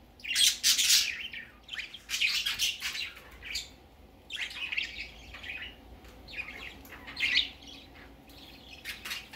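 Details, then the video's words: Young budgerigar on its first time out, uttering bursts of harsh, squawky chatter in clusters, loud at first, then broken, softer chirps with gaps. "Baby parakeet first time go out"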